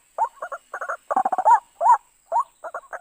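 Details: {'caption': 'White-breasted waterhen lure call for trapping: short paired chuckling notes, a rapid rattling burst, then two loud rising-falling croaks and more quick doubled notes, over a faint high whine.'}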